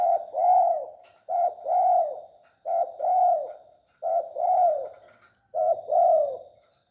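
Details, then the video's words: Steady series of five two-part coos from a tame spotted dove, each a quick note then a drawn, mellow, downcurving coo, repeated roughly every one and a half seconds. "Burung tekukur jinak bekur"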